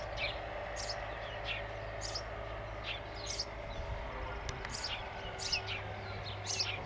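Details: Several sparrows calling with sharp, high chirps in scattered bursts, roughly every second, some notes doubled, against a constant low hum and faint background noise.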